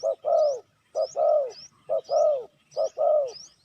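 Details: Spotted dove giving a lure call to draw wild doves: four deep cooing phrases, each a short coo followed by a longer falling croo, about one per second. Faint high rising chirps from another bird sound above.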